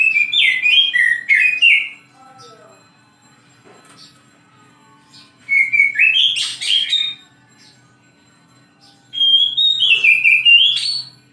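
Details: Oriental magpie-robin song heard in the morning, three separate phrases of warbled whistles and scratchy buzzes, each about two seconds long with quiet gaps between, plus faint ticks and a low hum.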